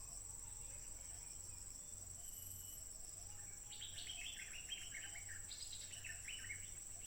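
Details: Wild stripe-throated bulbul singing without pause, recorded by smartphone on 15 June 2021; after a quiet start, a burst of quick, bubbly, chattering notes rises and falls over a steady high insect whine.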